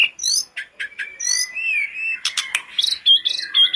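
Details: Sooty-headed bulbul in full, persistent song, used as a lure to prompt other kept birds to sing: a varied rush of whistled, rising and falling phrases with rapid buzzy trills and sharp high notes, no other sounds.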